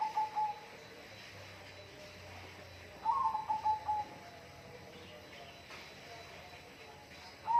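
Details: Whistled bird phrases of rapid, wavering notes ending in a sustained tone. The first comes at the start, another near three seconds and a third at the very end, over constant hiss.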